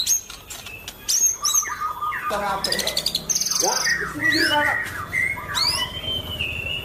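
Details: White-rumped shama, a champion bird singing gacor: loud, varied whistles, slurred notes and rapid buzzy trills, with people talking nearby.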